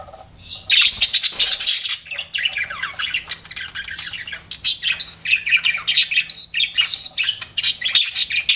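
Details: Pet budgerigars in steady, lively chirping, a continuous warble of rapid, varied high notes and scratchy chatter running through the whole stretch.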